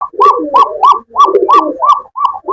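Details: Pigeons, Rajgolla and fancy breeds kept with chicks at a farm in Kashimpur, Gazipur, Bangladesh, cooing indoors: a rapid series of rolling, throaty coos, about eight notes in under three seconds, with overlapping lower murmurs.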